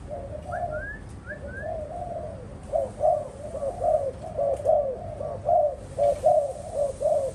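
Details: Kept spotted doves cooing in a low, rhythmic series that grows louder midway; a few thin rising whistles from another bird sound near the start.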